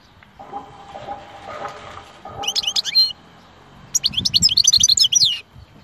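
European goldfinch giving two quick bursts of bright, liquid, tinkling twitters, high and rapid, over a faint low murmur of background noise.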